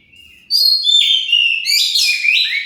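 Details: Oriental magpie-robin song played to trigger replies from other birds: a faint whistle, then a sudden loud stream of clear whistled notes, slurred glides and dense buzzy trills.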